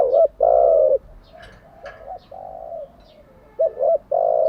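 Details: Spotted dove used as a decoy to train wild-caught doves, cooing. A long coo, then quiet humming notes and faint chirps, and a double hoot leading into another loud coo.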